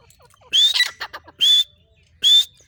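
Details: Female grey francolin calling: three loud, shrill, harsh bursts, each with a thin whistled tone running through it, spaced roughly a second apart over a quiet background.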